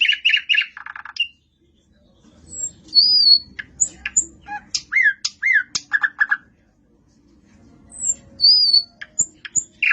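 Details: Nightingale in varied song, mixing rapid harsh chirps and squawky notes with clear high whistles and sliding buzzy phrases in quick bursts, broken by two short silences.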